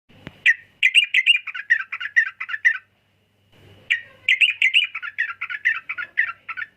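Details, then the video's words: Sooty-headed bulbul singing two long runs of rapid, bubbly chattering notes at mid-high pitch, each burst lasting about two seconds, separated by a short silence, with a faint low hum beneath. "Burung Trucukan Kicau Mania"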